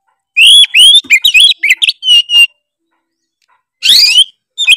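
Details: Oriental magpie-robin singing a bold song said to stir up rival magpie-robins: sharp, high whistles and fast twittering notes packed into a two-second outburst, then a pause before short renewed phrases.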